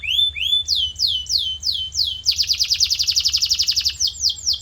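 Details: Canary song used as training audio to shape a canary's singing voice: rising whistled notes, then a fast buzzy trill pulsing rapidly for about a second, ending in repeated high sweeping whistles.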